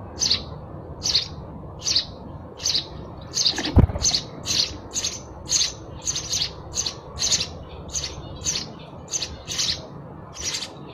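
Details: Sparrows chirping: a steady series of short, bright chirps, about one or two a second, repeated through the recording over a low background rumble, with a single sharp knock near the middle.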